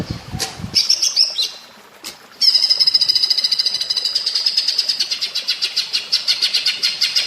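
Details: Greater green leafbird (cucak ijo) in platuk bawang style. Brief clicks and short high phrases open, then a steady, rapid train of high, pulsed notes runs for five seconds.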